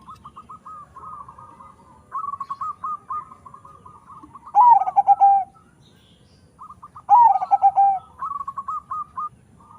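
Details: Crossbred zebra dove, local and Bangkok stock, known for a big voice, repeating its song about every two and a half seconds: chattering level notes building into loud, lower, rolling coos, then more quick notes.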